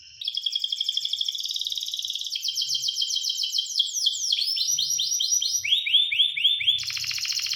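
A canary sings a long, fast run of bright phrases: high buzzy trills, then repeated rising-falling whistled notes about four per second, changing tour every second or two.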